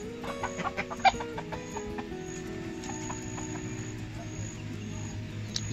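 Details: A hen searching for her only chick, which has disappeared, gives a burst of quick, low clucks in the first second or two, calling it with food, then goes quiet over a steady low rumble and faint tones.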